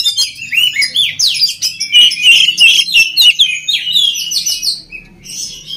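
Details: Vigorous oriental magpie-robin song, a training recording for other magpie-robins: rapid chattering chirps build into strong whistled slurs, then fade toward the end, with a faint low hum.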